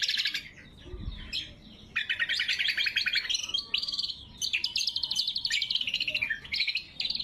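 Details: Greater green leafbird, loud and sharp, sung to call rivals and train birds: varied rapid chatter mixing buzzy trills, rising and falling slurred notes and crisp chips, nearly continuous.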